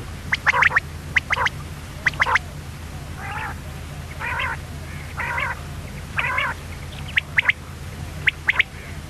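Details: Female common quail calling: sharp clicking notes in quick pairs and triplets alternate with short, harsher buzzy notes, all over a steady low background hum.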